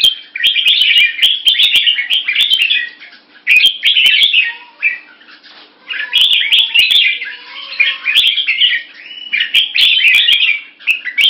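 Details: Singapore-kept Red-whiskered Bulbul, caged, sounding short keke notes and slashing its tail to test an opponent. Bursts of quick chattering last two to three seconds, separated by brief lulls with faint lower notes, with frequent sharp clicks.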